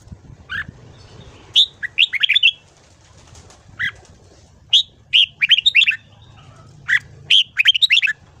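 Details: Morning training song of a red-whiskered bulbul, with lively whistled phrases of several rapid notes repeated every second or two, single sharp whistles between them, and light low rumble underneath.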